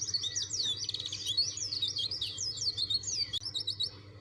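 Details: Dakun white-eye insistently singing for an opponent: tight, rapid, high-pitched warbling with wavering looped notes, a brief buzzy patch early on, and a short click near the end; faint hum underneath.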